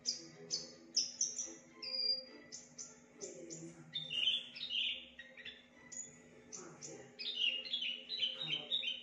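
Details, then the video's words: Javan bush lark song mixing imitations of other species: clipped high chirps, a sustained whistle, then harsher, lower raspy notes and fast twittering phrases, loud, with a faint continuous hum. "BRANJANGAN UNIK Suara aneh pariatif volume dahsyat"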